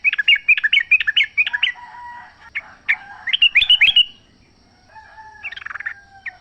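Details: Sooty-headed bulbul recorded in the wild as a lure to make caged birds sing; rapid bouncing series of whistled notes, a second burst after a brief lull, then quieter distant chatter and a faint tonal whistle.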